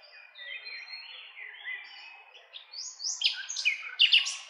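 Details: Nightingale song made of soft warbled and slurred notes that build into louder, sharper high phrases and quick chattering bursts toward the end.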